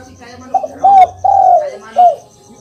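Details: Spotted dove call used as a training recording to make a silent kept dove answer: a short coo, then two drawn-out, slightly descending mellow coos and a final short coo, over a faint, steady, high pulsing tick in the background.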